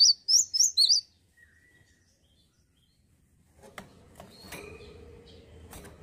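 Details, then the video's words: High, crisp whistled phrase of four quick notes from a male cinereous tit, a keen singer, followed by silence and then soft rustling and knocking sounds. "GELATIK BATU PASTI SUKA...GACOR BAGUS PEJANTAN YANG KEREN"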